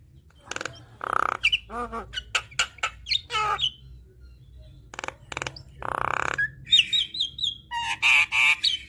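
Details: Javan myna in energetic full-content chattering song: harsh buzzy rasps, a low stuttering growl, sharp clicks and short high whistled notes at an uneven rapid pace, ending with bright repeated whistles; steady low hum behind.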